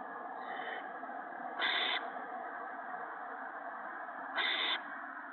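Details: Owlets at the nest as an adult brings gophers, March 28, 2017 evening; a faint hiss followed by two short loud rasping screeches about three seconds apart, with steady broadband noise throughout.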